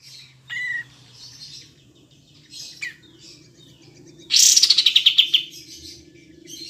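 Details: Triller, locally kapas tembak, heard in a clear training recording for songbirds: mostly quiet with faint thin notes, then a loud one-second burst of rapid, descending chirps with a low background hum.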